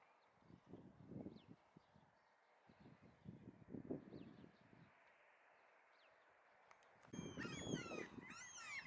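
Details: A Common gull gives loud, harsh, mewing calls near the end, after faint high squeals earlier, over strong gusts of wind on a grassy area where a starling forages, 20 July 2023.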